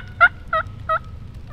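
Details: A wild hen turkey gives three loud, clipped yelps, each about a third of a second apart, over a low background hum.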